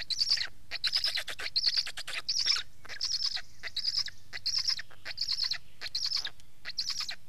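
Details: Hoarse, raspy notes from a black stork, repeated steadily about once every second with short gaps between the bursts.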